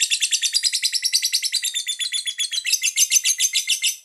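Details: Lovebird trilling ('ngekek panjang') to stimulate other lovebirds: a continuous rapid chattering trill of high, buzzy notes, about three and a half per second, running unbroken for four seconds and brightening toward the end.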